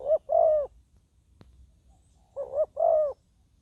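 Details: Spotted dove used as a ground decoy to lure wild doves, giving two mellow hollow coo phrases. Each is a short note followed by a longer, slightly falling croo, with a quiet gap between.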